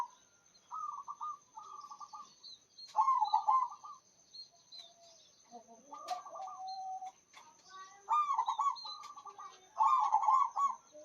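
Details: Active local zebra dove with a large voice delivers a long series of low, rapid, stuttering coo phrases, some loud and some soft, over constant thin high chirping and twittering from other birds.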